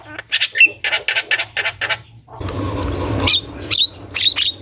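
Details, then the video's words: Javan myna (jalak kebo) calling continuously in a tutor recording: a quick series of short harsh chatter notes, then a broad rushing noise with sharp squeaky calls on top. "Masteran JALAK KEBO GACOR | ga berhenti bunyi, jalak lain pasti nyaut"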